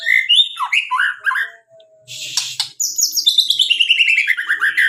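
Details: Varied song of a white-rumped shama: bubbling whistled phrases, a brief harsh burst, then a fast cascade of bright repeated notes gradually descending in pitch.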